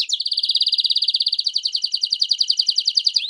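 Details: Canary song meant for teaching young and adult Reino and Belgian canaries: one even, rapid trill of clipped notes held at a steady pitch throughout, ending with a short upward slur.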